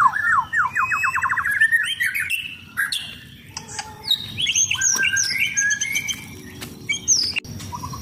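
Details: Contest-ready caged white-rumped shama of the blorok kind, sunbathing, opens with a fast stuttering series of whistles, then varied sharp notes and trills, ending with short soft whistles.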